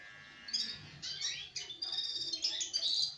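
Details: Sparrow twittering in a rapid jumble of high chirps that come in bursts separated by brief pauses, with a faint steady hum beneath.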